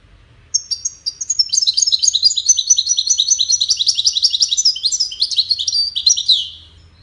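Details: Caged European goldfinch singing in a contest among five finches: a long, unbroken six-second run of rapid, bright twittering and jingling trills, dense and high, ending in a slurred flourish.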